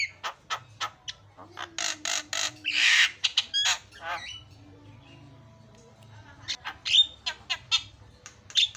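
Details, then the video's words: Javan myna song used as a lure for a myna that has stopped singing: a jumble of harsh rasping squawks and clicks, a pause with faint low hum, then a burst of sharp chips and short whistles. "JALAK KEBO PALING KREN KICAUANNYA"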